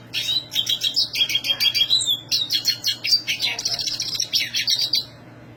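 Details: Black siskin singing vigorously in a high voice: a fast, unbroken run of sharp, high twittering notes and buzzy trills, about four notes a second, with a faint low hum beneath.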